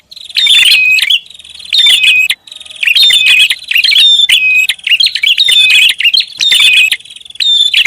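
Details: Busy prinia lure call with rapid, overlapping high chirps and ticking notes in bursts roughly once a second, some longer rattling runs, bright and piercing throughout with brief pauses between clusters.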